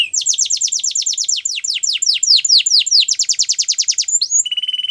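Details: A Russian canary sings in flute style: a long, loud roll of quick descending whistled notes, then a short rising slur and a pure steady tone, clean background.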